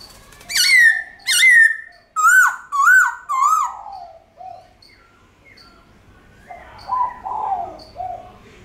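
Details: White-cheeked laughingthrush singing a long, drawn-out forest-style song: two loud sustained whistles, three rapid wavering whistled notes, then softer lower warbling and chatter after a pause.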